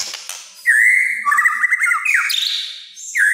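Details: White-rumped shama in strong song said to agitate other shamas: a sustained mid-pitched note breaking into a fast stuttering rattle, then an upward whistled flourish, with a high faint tone running throughout.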